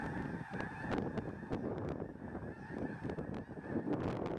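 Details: Tens of thousands of snow geese on spring migration north, landing and lifting off a farm field near Freezeout Lake, Fairfield, Montana, Easter morning, March 23. A dense, continuous roar of overlapping honks, buffeted by wind noise, with a person speaking.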